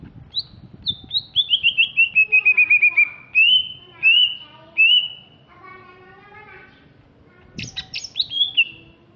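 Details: A big, fierce-looking Greater green leafbird from Alas Purwo in Banyuwangi, East Java, delivers high chirps, a long descending series of quick whistled notes, two loud slurred whistles, a softer layered phrase, and a final burst of sharp chips.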